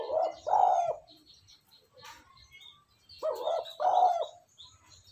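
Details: Lure call of a spotted dove to rouse a decoy bird: a pair of soft, low, hollow coo phrases roughly three seconds apart, each two-noted with a stronger second note; faint twittering in between.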